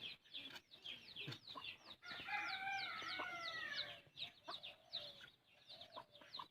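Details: Hen feeding chicks, heard as fast high descending chick peeps repeated over and over, with a louder layered trill in the middle and low clucks faintly below.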